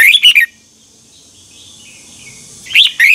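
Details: Red-whiskered bulbul singing its 2021 morning training song in the double twisting style meant for tutoring birds: a quick warbled phrase of bright notes, a pause of over two seconds, then the phrase begins again.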